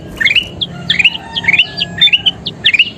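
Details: Kutilang emas (bulbul) in energetic song used to train other birds: short groups of fluty, rising whistles, each followed by a thin higher note, about two groups a second.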